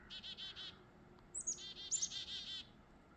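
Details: A pair of chickadees on a foggy, mild winter morning give quick runs of harsh, buzzy 'dee' notes, about four in half a second, with a few thin, very high notes, over a faint outdoor hush.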